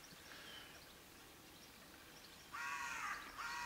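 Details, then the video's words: Raven giving two harsh, raspy croaks near the end after a quiet stretch, the second cut short, over low steady background noise outdoors. "CANTO DEL CUERVO O GRAZNIDO"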